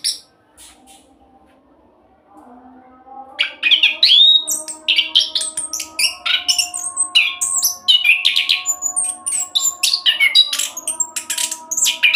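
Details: Orange-headed thrush roll song used as a lure for other birds: quiet opening, then song builds into a dense flow of quick whistled and buzzy notes and short trills, over a faint hum.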